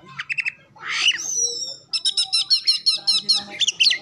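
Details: Lure song of an Oriental magpie-robin meant to get other birds singing and opening their tails, packed with imitations of local birds and canary; short trills, a long whistled slur, then a steady run of repeated high ringing notes.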